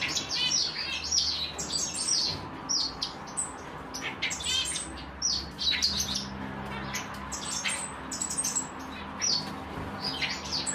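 African silverbills chirp steadily: a busy overlapping stream of thin, high tweets and brief trills from several birds, over a faint low hum.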